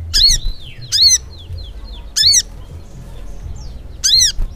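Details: Crimson sunbird (sogok ontong) in continuous ngleper song. Piercing, arched high notes are spaced a second or two apart, linked by soft descending squeaky slurs. A low hum sits in the background.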